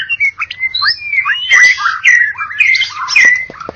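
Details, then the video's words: Contest-winning white-rumped shama from Medan and Java lines, singing rich clear whistles that slide up and down, mixed with quick chattering notes, delivered in a dense, lively stream. "Murai batu Medan dan Jawa Juara Satu Pemenang Lomba Bird Copsychus malabaricus Suara Burung"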